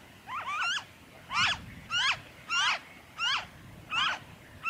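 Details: Noisy friarbird in Victoria, Australia, during February 2023, calling with coarse, twisting nasal notes repeated at an even pace, about one every two-thirds of a second, clear against a quiet background.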